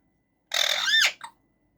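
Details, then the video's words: Pet male rose-ringed parakeet calling from its cage: one loud harsh harmonic note that bends downward at the end, followed by a brief softer squeak. "Talking Raw Parrot making different sounds"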